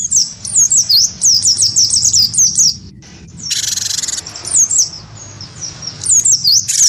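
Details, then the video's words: Cinereous tit of the wingko type, singing prolifically and provoked into fighting calls against a white-eye: rapid runs of high, sharp downslurred notes, broken by a harsh buzzy burst in the middle and another near the end. "gelatik batu wingko gacor pancing bunyi tarung sama burung pleci"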